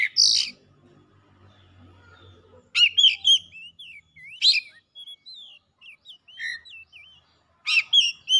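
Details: Oriental magpie-robin (kacer) singing vigorously and agitated, unloading its learned repertoire: loud sharp bursts mixed with varied high twisting whistles and trills, broken by short pauses, over a faint low hum.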